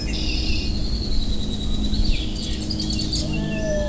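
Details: Backyard recorder during spring migration in the Northeast: a Red-winged Blackbird's buzzy trill opens, then a Northern Waterthrush, usually quiet, gives a burst of sharp, high repeated notes with a dropping ending, over a steady low rumble.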